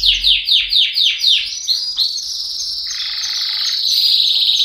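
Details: Singing canary: a run of about six quick falling chirps, then long continuous high trills, including a lower buzzy rolling section, rising into a bright sustained warble.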